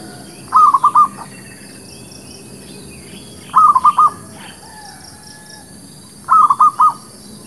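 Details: Zebra dove lure song for trapping and for new birds: three phrases of four quick, bubbling cooing notes each, coming roughly every three seconds over a quiet background.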